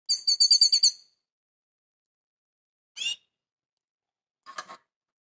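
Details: Grey-headed goldfinch giving an unusual song: a quick run of about seven bright, high twittering notes packed into one second, then two short buzzy bursts at roughly three and four and a half seconds, against a silent background.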